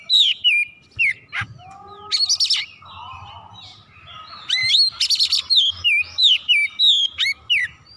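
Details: Heated oriental magpie-robin pouring out its full repertoire. Rapid whistled phrases mix with buzzy rattling bursts and some lower, harsher notes. It ends in a fast series of bright, downward-swooping whistles.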